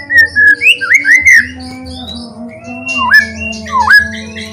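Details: White-rumped shama song played to get other shamas singing: looping whistled notes that bend up and down, with gaps between phrases and a steady background hum.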